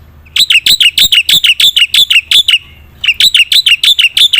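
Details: Lively black-winged myna song for coaxing quiet birds to sing: a steady stream of about ten sharp, bell-like high notes in quick succession, a half-second gap, then another rapid run of similar notes.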